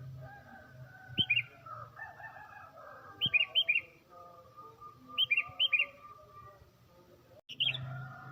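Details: A tame sooty-headed bulbul singing in the morning gives short bursts of three or four bright, bubbly notes about every two seconds, over a soft background hum and faint clatter.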